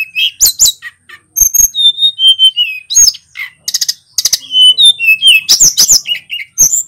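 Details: Energetic song of a local male sulingan gunung from Pacitan, rolling through varied phrases: quick high chips, sustained level whistles sliding downward, bursts of rapid clicking notes and rising swoops, delivered almost without break.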